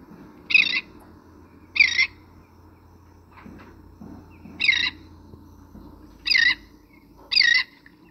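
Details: Royal tern, recorded in Southern California, giving five harsh, rolling two-part calls at uneven intervals, each descending at the end with a lower, rougher, less accented second syllable than the elegant tern's; low background hum.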